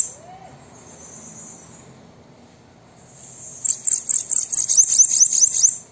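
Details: Bananaquit song for prompting a caged bird to sing: after a near-quiet start with a faint high hiss, a fast run of shrill, buzzy chips ending in sharp downward slurs.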